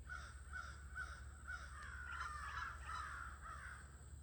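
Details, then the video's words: Evening gathering of crows on an August day: a steady stream of rasping caws, about two a second, rising into a busier overlapping chorus halfway through, with a constant low hum behind. "Sounds of the Near-Evening Crow Gathering"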